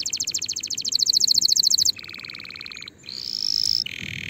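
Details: Canary song intended to train young birds for the coming season. A rapid high trill speeds up, drops to a lower buzzing roll, then a thin whistled tone and a steady lower buzz.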